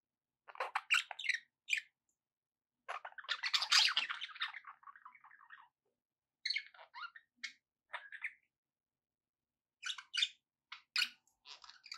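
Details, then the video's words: Budgerigars kept indoors as pets chatter in irregular bursts: quick scratchy chirps, a longer rolling warble trailing off, then scattered sharp notes with short silences between. "2 hours of budgie sounds with background noise for relaxation"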